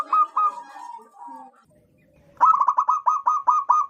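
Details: Wild local zebra dove (perkutut) with a big, loud voice, suited as a lure call: mid-pitched staccato cooing, a short burst of notes, a pause, then about eight evenly spaced ringing notes in quick succession.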